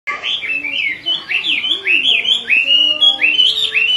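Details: A female Chinese hwamei calls continuously, rousing a restless male, in a rapid run of loud, slurred whistled notes sweeping up and down, nearly twice a second, over faint lower whistling.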